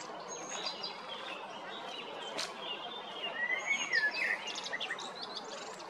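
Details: Male common blackbird, Zagreb, Croatia, spring 2022: after quiet background chirping, a fluted phrase rises and falls near the fourth second and ends in squeaky high notes.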